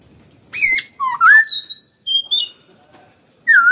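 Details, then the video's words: Hwamei kept as a cage bird, singing eagerly: a varied run of loud whistled notes, some rising and some falling, with a short pause before a final clear downslurred whistle. "Khướu mộc dở cực mau mỏ"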